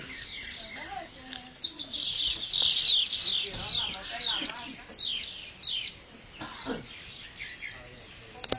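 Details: Many birds greeting sunrise on a cattle farm in the Venezuelan llanos at Ciudad de Nutrias, Barinas, February 2009; loud, tumbling high chirps and descending trills crowd together, then thin out into scattered tweets.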